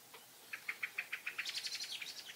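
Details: Common blackbird in the Eifel, collecting nesting material, gives a quick series of about eight sharp, clucking notes, then a higher, faster chatter at the end.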